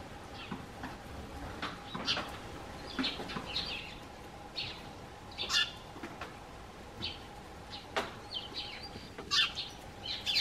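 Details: Eurasian tree sparrows on a garden bench, calling out to greet the man stepping from his house; short bright chirps come in loose bursts, roughly one a second, with a faint steady hum and scattered knocks beneath.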